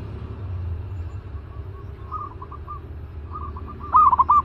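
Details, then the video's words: Zebra dove kept in a cage, called fierce and ready for trap training: faint, distant-sounding cooing notes give way to one loud, clear burst of rapid staccato coos at the end, with low hum underneath. "Naik Lagi Merbuk Galak Sangkar"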